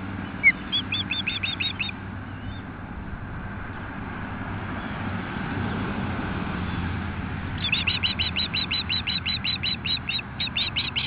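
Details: Nest-camera recording of an osprey pair near Nelson, BC, alerting to an intruding osprey: a short burst of quick shrill chirps, a long stretch of wind and road noise, then another rapid chirping series.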